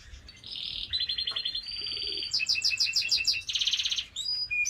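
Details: Canary from Slovenia singing a varied song of rapid trilled tours, steady buzzy rolls alternating with fast repeated whistled notes, over a low background hum.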